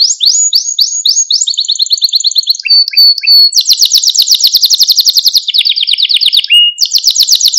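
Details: Male Maltese canary song for stimulating other canaries: fast falling whistles, a steady mid trill, then extended rapid high rattling trills with brief pitch shifts, continuous throughout.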